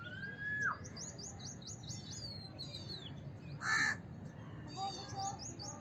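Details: House crow giving a single harsh, broadband caw partway through, set among thin chirps and buzzy twittering from other small birds.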